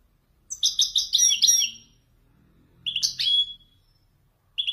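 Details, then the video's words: Marrakchi descending phrases from a Wedani goldfinch: a string of quick, sliding chirps that drop in pitch, then a pause and a sharp rising-falling twitter, over soft low background rumble. "حسون ويداني يتفنن بالنزولات المراكشية الأصيلة"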